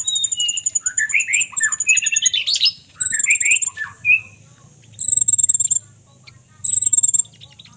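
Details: A konin bird pours out a rapid jumble of twittering, rising and falling chirps, then gives short bursts of very high, rapid ticking notes separated by pauses.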